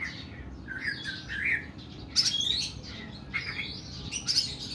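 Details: Oriental magpie-robin producing long, harsh song with mid-pitched warbles, a sudden loud scratchy burst and scattered high chirps.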